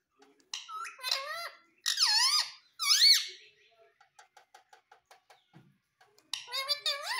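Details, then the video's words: Pet parrot indoors, said to call 'Mummy' and 'Papa': three strong, harmonic, voice-like phrases that swoop up and down. A run of soft, evenly spaced clicks follows, then another burst of wavering phrases. "Parrot Sound _ Mummy Mummy Bolne Wala Parrot _ Parrot Speaking Papa"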